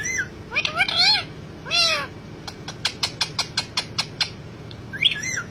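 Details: Pet parrot talking in full mood: a few slurred, voice-like whistled phrases with harmonics, then a rapid series of about ten sharp clicks, ending with another short wavering vocal phrase.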